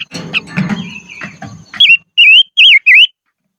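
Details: Highland decoy silver-eared mesia: after a stretch of muddled low noise and faint notes, four bright, loud whistles follow in quick, even succession, each swooping down and back up.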